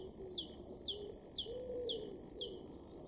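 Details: Great tit in a garden in Weener, East Frisia, northwest Germany, May 2022, singing a bright, high two-note phrase that drops in pitch, repeated about twice a second, with a soft dove cooing low in the background.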